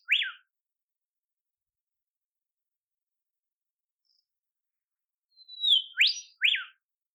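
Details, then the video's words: Olive whistler from temperate forest in Australia calling in the wild: a sharp upsweeping whip note, long silence, then a drawn-out falling whistle followed by two quick upswept notes. "Olive Whistler Call"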